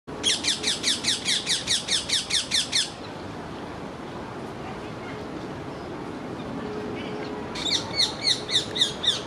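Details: In a rose garden, an excited rose-ringed parakeet makes a tremendous fuss over something unseen: a rapid run of about a dozen shrill, grating screeches, silence, then another quick series over steady hiss; Rose-ringed parakeet.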